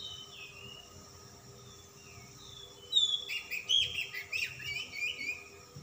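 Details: Oriental magpie-robin (kacer) of the calm 'dingin' type, singing persistently in full 'ngobra' style with rich 'isian' fill: faint whistled slurs, then from three seconds a loud burst of rapid, varied, high chattering and whistled notes over a steady background hum.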